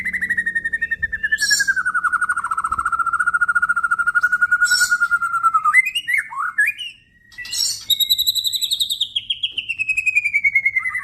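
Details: Crossbred F series male white-rumped shama holding a long, rapidly pulsed trill that drifts slowly down in pitch, a brief tumble of twisting notes, then another high descending trill.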